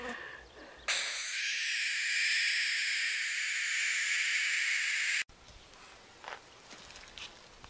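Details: A cranky baby barn owl, in rehabilitation and being moved to a larger enclosure before release, gives one long, harsh, broadband hiss of about four seconds in displeasure, then stops abruptly; faint rustling follows.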